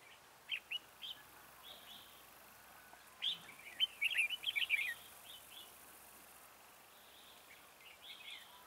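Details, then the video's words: Red-whiskered bulbul singing as a decoy bird to lure wild bulbuls into a trap. It gives a couple of isolated chirps, then a loud rapid rush of bright warbled notes, followed by softer chattering. "Bẫy chào mào Mào boi 3 cao vút"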